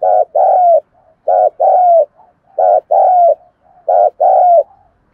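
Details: Spotted dove giving its cooing call, a steady repeated phrase of a short hollow coo followed by a longer, slightly falling coo, about four phrases spaced roughly a second apart, clean and close.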